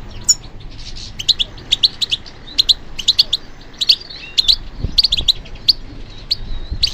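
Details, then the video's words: European goldfinch, kept and trained for song, singing in response to stimulation: rapid bright twittering with sharp high chirps and short trills in quick irregular bursts, a faint low rumble underneath. "How to encourage the goldfinch to respond to stimulation"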